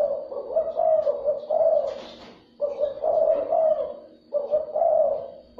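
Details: Spotted dove cooing to excite and attract other doves; three long, rolling, hoarse coo phrases, each with several pulsing notes, with brief pauses between them.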